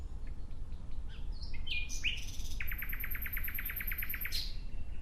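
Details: Nightingale song: brief twittering and whistled notes lead into an even series of rapid, repeated notes lasting nearly two seconds, with a thin, high trill running above them. A quick flourish ends the phrase.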